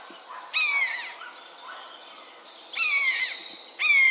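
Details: Common buzzard calling three times: loud, descending, mewing 'peee-oo' cries, each about half a second long, with a third cut short at the end, and soft bird chirps in between.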